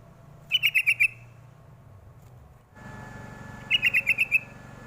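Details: Sooty-headed bulbul call used as a lure to make young birds reply: two short bursts of five quick, bright chirps each, separated by a few seconds of quiet hum.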